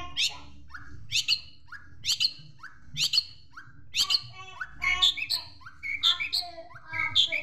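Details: Long-tailed Shrike training song with imitated sparrow notes. A bright chirp and a falling whistle repeat about once a second, getting fuller and busier near the end.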